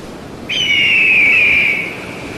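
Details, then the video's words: One loud, high eagle whistle held for over a second, slowly sliding lower and fading, with a thin upper overtone. "SUARA MASTER BURUNG ELANG"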